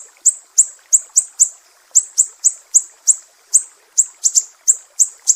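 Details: Sumatran mangrove whistler used as a training master for songbirds, giving sharp 'besetan' notes: high, clipped chips roughly three per second with occasional quick doubles, over a quiet background.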